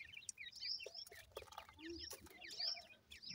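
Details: Grey francolin chicks calling their mother: rapid, thin, high peeping chirps, many overlapping and repeated throughout, with occasional sharp clicks and knocks in the background.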